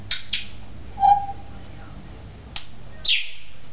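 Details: African grey parrot, a talking bird at a pet shop in Beit Hanina, Palestine, makes two high downward squeaks, a brief low hoot, then two more sharp falling squeaks after a pause.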